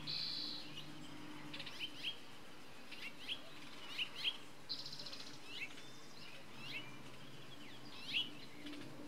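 Costa's hummingbird gives sharp, high chips at an irregular pace, with a couple of short buzzy bursts, over a steady low hum.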